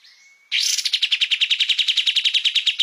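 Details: Bulbul known locally as kapas tembak, recorded as training material for cage songbirds. A thin whistle gives way to a fast, sustained rattle of bright, evenly spaced chirps.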